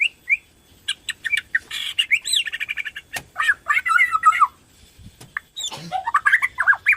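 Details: Vigorous song of a Borneo white-rumped shama, used to stir other shamas to sing: bursts of harsh chattering and squawky notes mixed with twisting whistles, broken by brief pauses.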